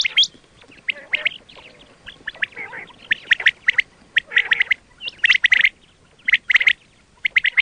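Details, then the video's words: Quail calling, used to attract birds when hunting: a loud, scratchy squawk opens, then irregular runs of rapid chattering notes and brief high whistles. "quail 2024 Fresh sound Batair Ki awaz"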